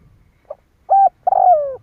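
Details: Part of a spotted dove's provoking call: a tiny pip, a steady mid-pitched coo, then a long buzzy coo sagging gradually downward, over faint low rumble.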